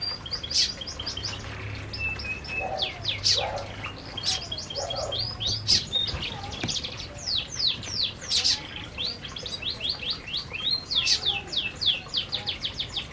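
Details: Aviary flock of canaries at their food, producing long stretches of dense, fast high chirps and clipped descending notes, with a couple of softer lower calls and a faint low hum beneath.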